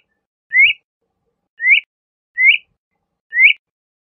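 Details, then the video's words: LeConte's thrasher giving a clear rising whistled call, the same upslurred note repeated four times at uneven gaps of about one second, with silence between. "LeConte's Thrasher Bird Song, Call, Chirp, Voice - Cuitlacoche Pálido Canto"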